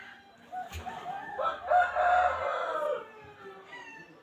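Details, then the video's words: Wild junglefowl rooster gives one full crow: a rising hoarse opening that swells into a loud, drawn-out, rasping phrase of about a second and a half, then fades. "suab qaib qus qua zoo tiag2 li"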